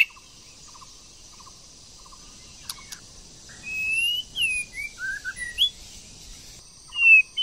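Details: White-rumped shama, a female used to stimulate a male to sing: sparse whistled notes, some sliding and some short, scattered over a few seconds against a steady high hiss.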